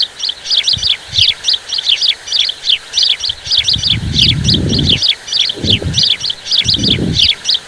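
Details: A huge flock of migrant common starlings, numbering in the hundreds of thousands, arrived in Chakwal, Pakistan, keeps up a dense, continuous chatter of clicks, squeaks and whistles, with low rumbling wind or rustling in bursts.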